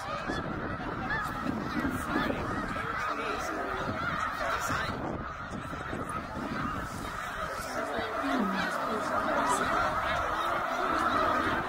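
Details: Snow geese during migration at Middle Creek, Pennsylvania, 2023, a flock of tens of thousands heading north: a dense, continuous chorus of overlapping nasal honks and yelps, with no gaps, getting slightly louder toward the end.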